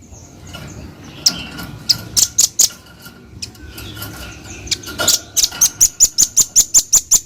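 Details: Velvet-fronted nuthatch with irregular sharp chips that build into a steady, rapid string of about ten high, piercing notes near the end, over faint background hum.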